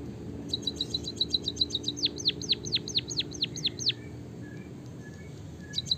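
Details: White-headed munia with a canary-imitating rolling song: a rapid trill of short high ticks runs into a string of about ten steeply falling whistled notes, then quiet soft notes and a final burst of ticks.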